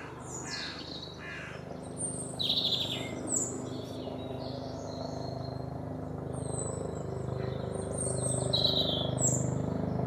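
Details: A European robin (Erithacus rubecula) sings thin, high, varied warbling phrases with brief pauses, continuing over the steady low throbbing rumble of a low-flying helicopter passing directly overhead.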